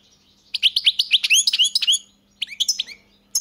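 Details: European goldfinch giving a bright run of repeated chirps and upward-sweeping twittered notes, a short pause, then another brief twittering phrase; a faint low hum underneath.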